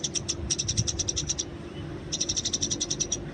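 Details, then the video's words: Eurasian tree sparrow recorded in the wild as a tutor for training: two rapid strings of sharp, high chirps separated by a pause of about half a second, with a low steady hum underneath. "masteran burung gereja di alam bebas"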